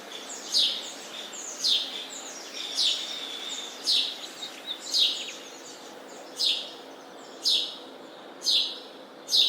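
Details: Sparrow chirping: bright, sharp chirps repeated roughly once a second, nine in all, each a short downward-sweeping note with a strong clear peak, over a faint steady background hiss.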